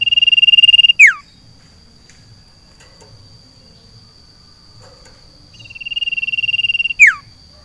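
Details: Caged sirtu placed outdoors in a garden, singing a fast buzzy trill at a steady pitch that ends in a sharp downward-sweeping whistle, twice, with a steady high tone in the background.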